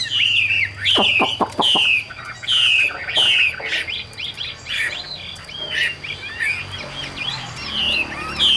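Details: Vietnamese captive Chinese hwamei repeating loud, falling whistled phrases at about one per second; a few quick clicking knocks come early, then the song turns into a jumbled, faster warble.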